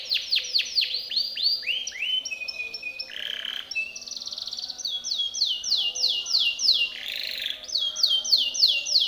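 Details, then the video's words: Timbrado canary performing a training song for other canaries: quick falling sweeps, then a rolling trill and runs of steeply descending notes, broken by two short harsh rasping bursts. "TIMBRADO canary singing - Timbrado canary's most powerful song for training / canary training song"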